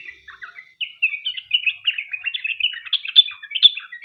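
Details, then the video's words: Sooty-headed bulbul singing its long, fast-paced song, used to trigger other bulbuls to sing. A few soft notes open, then a brisk, lively run of tumbling chirps and slurs without a break. "Trucuk gacor ROPEL PANJANG buat pancingan trucukan agar bunyi"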